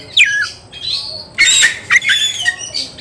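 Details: Agitated Oriental magpie-robin looking for an opponent to fight, singing hard; a descending whistle followed by loud harsh, buzzy squawking bursts and a few clipped notes.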